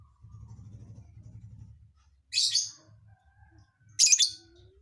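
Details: A lovebird's strange song filling gives two separate harsh, high chirp bursts about two seconds apart, over a faint low hum.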